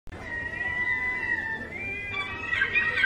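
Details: Gull giving a drawn-out, mewing, cat-like call with a steady tonal line and harmonics, sliding slightly downward, then breaking into harsher, louder notes near the end.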